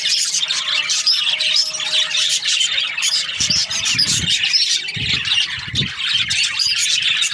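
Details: Many budgerigars chirping in breeding season, a busy high-pitched chatter of squeaks and warbled chirps, with several dull low knocks or bumps around the middle and later part.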